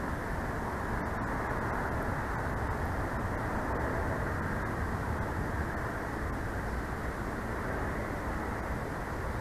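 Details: A constant broad hiss and rumble of background noise at Big Bear, with no animal calls.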